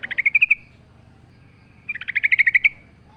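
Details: Sooty-headed bulbul song from a lure recording for stimulating birds: two brisk phrases of rapid, evenly repeated notes rising slightly in pitch, about 1.5 seconds apart, with quiet background noise.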